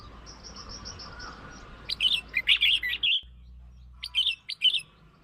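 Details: Red-whiskered bulbul song meant to lure and provoke birds: after a faint run of thin repeated notes, a phrase of bright warbling notes, then a short second phrase of three notes, with soft background hum.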